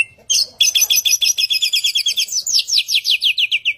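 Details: Asian pied starling, known locally as samyong, sings a long run of rapid repeated buzzy chirps, slightly rising and falling in pitch, after a brief whistled opening note.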